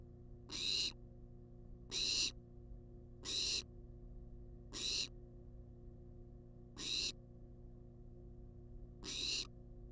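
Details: A wild barn owl on a nest-box cam keeps demanding food with repeated rasping hisses, six in ten seconds, each about a third of a second long, steady mechanical hum underneath.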